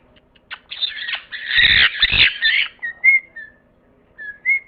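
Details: Parrot letting out a loud, grating squawk lasting over a second, followed by a few short whistled notes, some sliding upward, with gaps between them.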